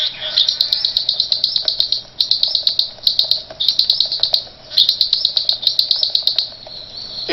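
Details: A captain male Blue (Swallow-tailed) Manakin gives the special call that dismisses his team of assistant males after their cooperative display dance. It is a high, rapid, buzzy chatter in three or four bursts with brief pauses; swallow-tailed manakin.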